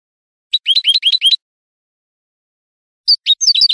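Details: European goldfinch on a Spanish recording made to tutor cage birds: a neat series of about eight quick twittering chirps, then after a pause a looser, scratchier tumble of notes.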